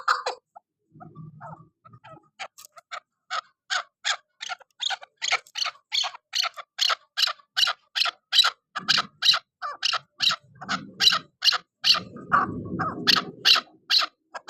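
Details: Chukar partridge in a loud series of harsh, clucking chuk notes. They build from a hesitant start into a steady rhythm of about two or three per second, with low rumbling noise in a few places.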